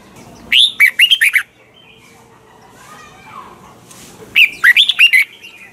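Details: Red-whiskered bulbul in a cage giving the double-note old-forest song used to train birds in the morning; two loud bursts of rapid whistled, bouncing notes, separated by a few seconds of faint background chatter.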